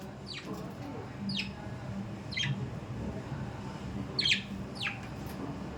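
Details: Budgies calling with single thin chirps that sweep steeply downward, spaced about a second apart, one louder than the rest, against soft background hum.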